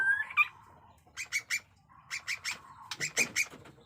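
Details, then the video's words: Jenggot Dewa white-rumped shama giving short sliding whistles followed by groups of harsh, scratchy clipped notes repeated at a quick even pace, fairly quiet overall. "pesona AURA MURAI BATU JENGGOT DEWA fighter abis Batuk Koral, Muntah beling murai bisu ngikut nYaut"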